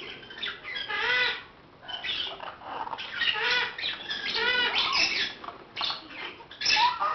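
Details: Baby African grey parrots playing in a playpen, giving harsh repeated squawks and scratchy chattering calls in bursts, with pauses between, indoors.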